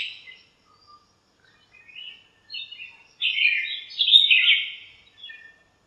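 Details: Morning chirping from birds gathered in a backyard lemon tree, communicating with different chirps: sparse thin notes at first, then a louder run of rapid, uneven high twitters toward the end.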